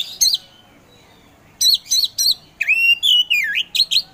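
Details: Oriental magpie-robin (kacer), a kept singing bird: a lone chip, a pause, then several clipped high notes and a long wavering whistle dipping and rising, ending in quick sharp chips.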